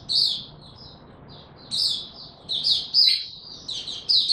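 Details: Oriental white-eye in buka tiong singing form, pouring out bright, high warbling twitters in rapid phrases broken by a short lull.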